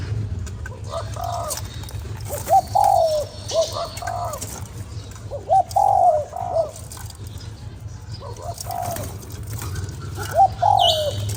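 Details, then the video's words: ['Spotted dove cooing to excite a lure bird, three repeated phrases of short, long-falling and short notes, accompanied by broader echoing coos and a low rumbling background.'] "Cu gáy kích bổi"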